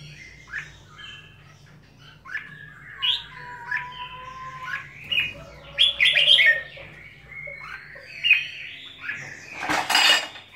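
Red-whiskered bulbul giving bright, varied whistled phrases and chattering squawks, rising and falling, scattered irregularly over ten seconds with a low hum behind.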